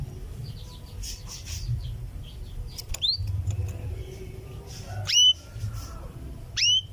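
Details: Female canary calling to the male with a 'cuwit-cuwit' call: sharp whistled notes sweeping steeply down then levelling, given singly about every one and a half seconds, with fainter chirps and low background rumble.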